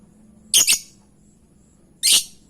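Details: Two loud, harsh lovebird squawks about 1.5 seconds apart, the first doubled, from a lure sound designed to provoke another bird into answering.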